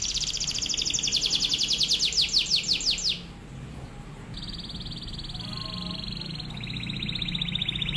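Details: Canary in full song, used as a training song for other canaries, with fast drilling bursts: a rapid buzzy trill of evenly pulsed high notes for three seconds, then a quieter thin sustained rattling trill after a short pause.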